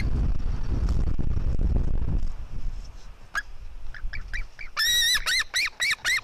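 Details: White-tailed eagle eaglets fighting, a female against her brother: loud low rumbling noise at first, then scattered short squeaks building into a run of five strong, harsh squeals in quick succession.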